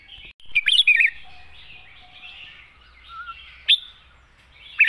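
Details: Red-whiskered bulbul, wild-style song with long phrases and a light voice: one quick burst of warbled whistles, then a single sharp note and another brief note near the end, over a steady soft background.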